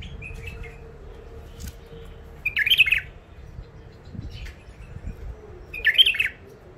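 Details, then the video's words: Wild-caught bulbul from the Mandali crossing area, old catch in its first isolation, sings two short warbled, chattering phrases about three seconds apart, with a quiet pause between and a faint low hum below. "بلابل وحشيات خامات كاع منفذ مندلي لسانات روعه"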